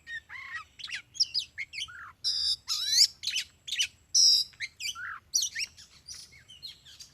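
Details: Oriental magpie-robin, locally called kacer, lured along a concrete road; rich varied song of whistled, rising and falling phrases and harsh notes, short bursts with brief pauses, high-pitched and loud.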